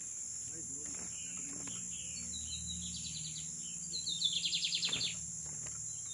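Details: Lined seedeater, or bigodinho, producing a quieter opening phrase and then one rapid buzzy trill of repeated notes lasting about a second, partly masked by a steady high whine and background noise.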